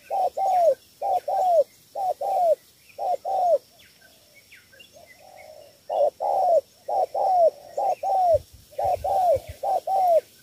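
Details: Cà Mau spotted dove, three-note 'thổ 3 âm' cooing for luring wild field doves: rapid series of short hollow hoots with falling ends, grouped in runs of about four, steady rhythm across ten seconds; faint background hum.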